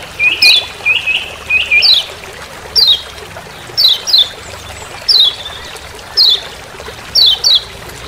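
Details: Forest recording from Lombok of a Lemon-bellied white-eye's "ciak ciak" call. It opens with a quick burst of short chirps, then crisp high down-slurred notes, often doubled, repeat roughly once a second over a hissing background.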